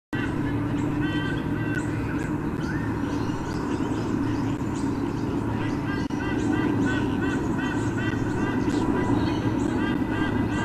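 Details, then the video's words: White-bellied sea eagles during a nest visit at Olympic Park, Sydney, Australia, recorded on 13 October 2014 by a nest camera: repeated nasal, honking squonk notes in quick series over a steady low mechanical hum. "visit and squonkathons"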